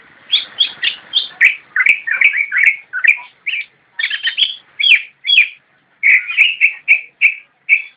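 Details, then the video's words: Javan white-eye singing in the 'nyinden' style: bright chirping notes in quick runs, high slurred phrases giving way to lower warbled bursts, short pauses between groups, no other sounds. "Cicak rowo nyinden"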